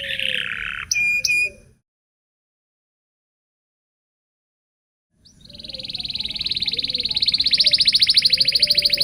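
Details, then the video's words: Local canary in full song, meant as a training song for learning canaries: a buzzy phrase and two clipped chips, a long silence, then a rising, fast, rolling trill that swells in loudness, over low background rumble. "Suara Burung kenari lokal super gacor bagus untuk pancingan kenari belajar bunyi"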